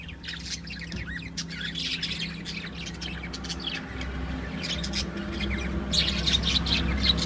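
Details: Lovebirds kept in a cage, chattering with quick high chirps and squeaky twitters in irregular bursts over a steady low hum, growing busier toward the end.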